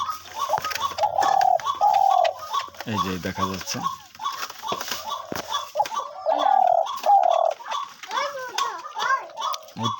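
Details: A spotted dove, a hunting decoy bird that calls often and densely, coos in soft, hoarse, repeated phrases in quick succession, with a man's voice speaking briefly partway through.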